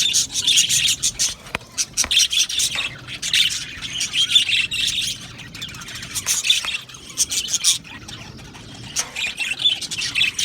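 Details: Budgerigar colony in an aviary, singing and chirping in bursts of bright, high twittering and sharp chirps, separated by brief quieter gaps, many birds overlapping.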